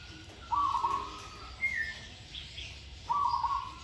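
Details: Two rattling, level coo phrases from a zebra dove under training, with a short higher call and faint background chirps between them.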